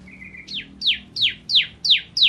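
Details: Bar-winged prinia, a gacor (constantly singing) masteran bird kept for training songbirds, opening with a steady thin whistle, then loud sharp descending notes repeated about three times per second.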